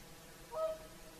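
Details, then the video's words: One brief, resonant trumpet note from a whooper swan during evening singing at sunset beside Lake Saimaa, Finland's national bird; the call stands alone against low, steady background noise. "Swans singing at sunset - Lake Saimaa"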